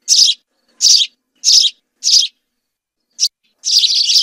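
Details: House sparrows in a singing group give four spaced harsh chirps, a pause, one clipped note, then a dense burst of overlapping chatter at the end.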